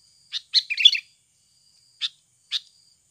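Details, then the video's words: Sooty-headed bulbul in a natural lure recording meant to prompt birds to sing: one sharp note, then a quick jumbled chatter of rough notes, followed by two separate crisp chips half a second apart; faint insect hum beneath. "SUARA ASLI PIKAT BURUNG KUTILANG UNTUK PANCINGAN BAHAN AGAR CEPAT BUNYI"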